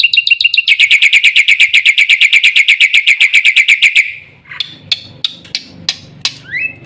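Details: Black-winged myna singing: a fast series of about two dozen evenly spaced, bright chirping notes over four seconds, followed by scattered sharp clicks and a short rising whistle.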